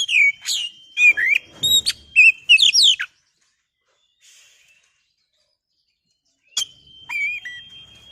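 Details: Oriental magpie-robin (kacer) song for rousing birds into song: a fast run of varied chirps, slurs and whistles, a few seconds of quiet, then a held whistle and two dipping notes.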